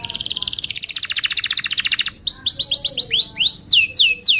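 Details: Canary lure song for teaching juvenile birds: a long rapid buzzy trill of even repeated notes, then looping downslurred whistles in a regular series.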